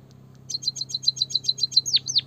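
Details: Training song of a white-headed munia, meant to stimulate a quiet bird to sing. About ten quick, high chirps follow in an even run, then two longer notes swoop steeply downward at the close.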